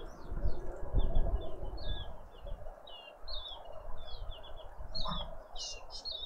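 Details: Birds visiting a feeder in a suburban Pretoria garden, South Africa, give a busy stream of high thin chirps and downslurred whistles, loudest in a burst near the end, with low traffic-like rumble underneath.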